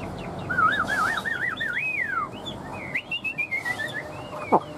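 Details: Tame Chinese Hwamei singing and flicking its fanned tail like a laughingthrush: a rolling, wavy warble climbing in pitch, then a string of short slurred whistles and a brief clicking knock.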